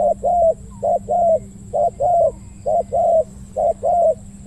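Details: Deep 'ku-ang' cooing from a spotted dove kept as a decoy to lure wild doves. Even, rhythmic pairs of soft low coos, a brief note followed by a longer drawn one, repeat about five times with a faint steady hum behind.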